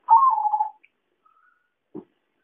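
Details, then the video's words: One zebra dove coo from a trapping lure recording: a soft rising start melting into a long, wavering, descending trill, followed by a brief low thump. "suara pancingan dan suara pikat perkutut paling ampuh"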